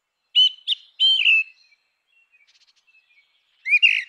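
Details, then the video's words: Grey-winged blackbird in its natural habitat singing clear whistled phrases around the mid range, sliding and slightly warbled, followed by a quiet pause with faint twitters and then a richer, louder closing phrase. "Canção do melro com asas cinzentas! Som de melro com asas cinzentas!"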